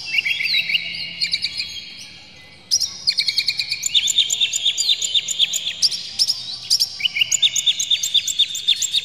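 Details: Oriental magpie-robin with open tail pouring out a full varied song to draw other magpie-robins into singing; fast trains of repeated sharp notes, several per second, broken by a short pause, then resuming strongly.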